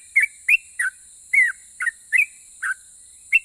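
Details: Sooty-headed bulbul whose song draws replies from other bulbuls, uttering eight clear whistled notes in three and a half seconds, several sliding downward, one longer drawn-out slur in the middle.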